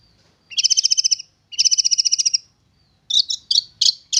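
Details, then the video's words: Young long-tailed shrike taken from the wild and tamed for about three months, now singing readily: two fast trills of even buzzy notes, then harsh chattering phrases. "Burung Cendet Muda Hutan Sudah Jinak Dan Gacor"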